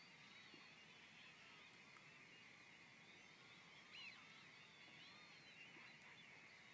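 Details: In the evening at RSPB Frampton Marsh, part of a flock of about two thousand European golden plovers piling into a scrape gives a steady chorus of soft, plaintive whistles; a Cetti's Warbler calls just before the 8-second mark.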